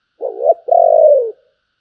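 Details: Spotted dove singing in the giọng thổ style with a Bầu tone. A short low coo leads into a longer sustained, slightly falling coo, deep and mellow, with a quiet background.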